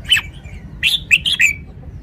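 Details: Red-whiskered bulbul giving one lively phrase of quick, clear whistled notes, the last one slurring downward, with faint low hum behind.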